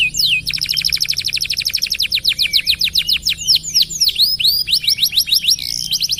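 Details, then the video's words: Canary delivering extended, energetic song for use in training other birds: a long fast rattle of repeated notes, breaking into hooked, swooping whistles near the end. "KENARI SUPER GACOR DURASI NGEDUR PANJANG....COCOK BUAT MASTERAN SEMUA BURUNG"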